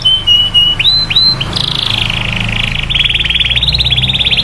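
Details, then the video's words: Canary 'cuit cuit' song used to stimulate other canaries to sing. It opens with clear high whistles and short upward slurs, then breaks into a long, fast, buzzy rolling trill. "SUARA BURUNG KENARI CUIT CUIT MANGGIL LAWAN MERANGSANG KENARI LAIN KEMBALI AKTIF"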